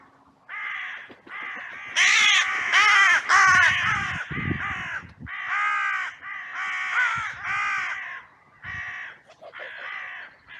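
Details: A massive outcry of crows in a cemetery on a sunny day with blue sky, recorded by trail cam as birds rush in after two crows fought; loud, raspy caws overlap densely, several birds calling at once, with short pauses between bursts.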